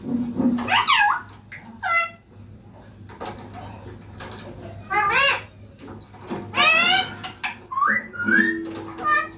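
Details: A pet green ringneck parrot perched on a neem tree calls in harsh, wavering squawks at irregular intervals, some quick and chattering, one a short rising whistle, over a faint background hum and a human voice.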